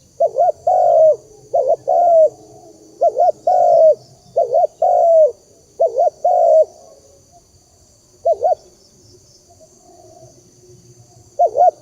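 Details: Spotted dove lure call: rhythmic low coo phrases, a brief doubled note leading into a longer falling coo, repeated in a run, then a pause with isolated short coos.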